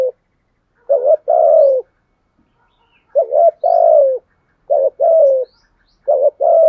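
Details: Decoy spotted dove giving drilled coos called thúc gù and gáy luân khổi, in a thổ sấm voice. Four low double phrases, each a brief quavering note and then a sustained coo that slides down, separated by silent gaps.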